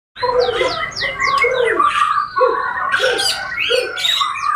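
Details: Bornean white-rumped shama, described as a persistent and aggressive singer, giving loud, varied song with sweeping whistles and harsh chattering notes, phrases repeated without pause.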